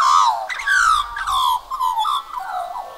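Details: Australian magpie, one of two birds, croaking unusually while holding a cockroach in its beak, possibly courtship or showing off; loud warbling, gliding notes falling from high to mid pitch in a run of linked phrases.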